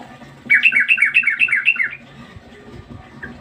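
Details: Sooty-headed bulbul, locally trucukan, described as a fighter in a test of its mettle: a quick run of about six bright, bubbly repeated whistled phrases over roughly one and a half seconds, then quiet background.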